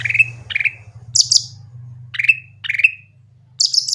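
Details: Clear, lively Grey-cheeked bulbul song for coaxing quiet birds to sing: pairs of bright down-slurred whistles broken by very high buzzy chirp bursts, with a faint low hum underneath.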